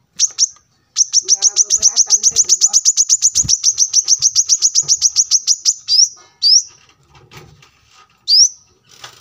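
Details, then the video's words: Brown-throated sunbird in energetic song, a masteran tutor recording for training cage birds: a fast run of about thirty sharp, high, evenly spaced notes, then three quick rising upslurred whistles, recorded beside a road. "kolibri kelapa gacor masteran untuk burung bahan agar cepat bunyi gacor setiap saat"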